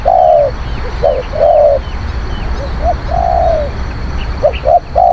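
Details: Spotted dove cooing, used as a decoy to lure wild doves. Mellow, low hooting coos come in short groups, with longer drawn-out notes between quick clipped ones. Faint high chirps from other birds and a steady low rumble run behind.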